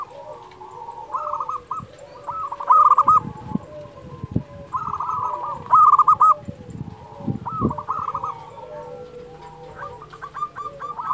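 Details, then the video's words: A lively local zebra dove sings to train doves that are slow to sing and to rouse rival birds. Phrases of rapid, rolling coo notes come every few seconds, some ending in stuttered trills, with fainter overlapping cooing. "Perkutut lokal gacor Suara ini sangat di sukai semua jenis perkutut"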